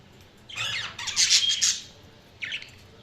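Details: Pet budgerigars chirping; a burst of scratchy, squawky warbled chatter lasting over a second, then a brief pause and one shorter harsh chirp, over a low indoor hum.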